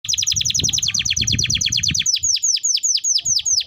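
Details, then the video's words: Canary singing in the afternoon before being taken indoors: a fast run of sharp, downward-sweeping chirps repeated several times a second, easing after two seconds into slower, separated descending notes, over a soft low rumble. "Sore Sore mantengin kenari sebelum masuk rumah"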